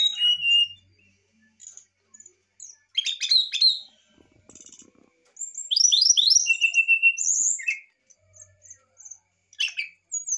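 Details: Excited brown-chested jungle flycatcher song: varied high whistled phrases separated by pauses, including a dense run of rising and falling slurs and a long sliding whistle, with brief chips between.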